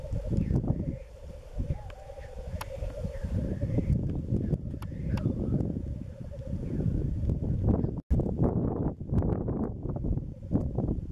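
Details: Black grouse lekking in spring in east Wales, 31 March 2016, with females present; a low, continuous bubbling murmur in the first few seconds, then strong wind buffeting and rumble dominate the rest.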